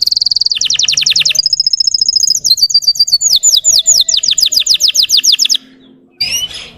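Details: Russian canary song played to provoke trainee canaries into singing: a steady high buzz, a rapid trill, a long series of falling slurred notes, a short pause, then quick upslurred chips.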